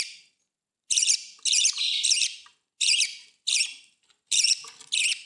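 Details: A breeding budgerigar pair with a new clutch and chick gives harsh, scratchy chattering bursts in quick, uneven clusters.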